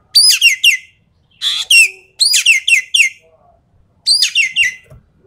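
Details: Javan pied starling singing rapid-fire song used to test contest birds: clusters of strong, descending harmonic whistles alternating with a grating buzzy phrase, delivered in quick bursts with short silences.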